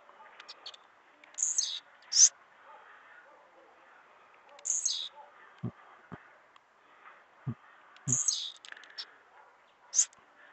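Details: Blue-black grassquit singing a lot on the morning of 3 May 2021, giving short, high, buzzy bursts every few seconds, with soft low thumps and a faint background murmur between phrases.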